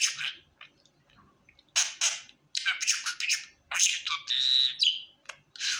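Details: Happy pet budgerigar giving scattered scratchy chirps that turn into louder buzzy bursts, including one sustained whistle-like squeal before a final chirp.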